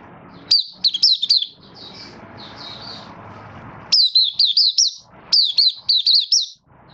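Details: 'Buka sing' of a Malaysian Oriental white-eye, caged and building form in minor moult, 24 August 2023: high quick whistled trills and softer chatter, then two loud runs of bending notes over broadband background rumble.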